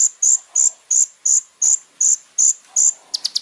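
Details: Little spiderhunter singing vigorously: loud, piercing high notes repeated steadily about three times a second, ending in a short flurry of quicker notes.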